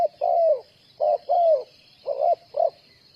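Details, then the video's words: Trapping decoy spotted dove uttering two coo phrases, each with a long descending coo and a clipped shorter note, against a continuous high-pitched hiss. "Bẫy cu gáy bằng mồi trồn"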